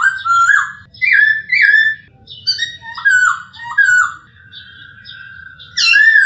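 A male masked laughingthrush sings loud, rich whistled phrases, slurred and rising, in bursts about every second, with a low hum beneath.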